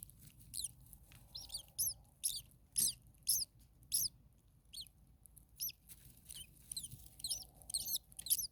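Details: Hot attic nest of common starling nestlings, about 40 degrees Celsius, parent close by: repeated shrill squeaks about twice a second, sometimes in doubled bursts, with a faint low hum in places.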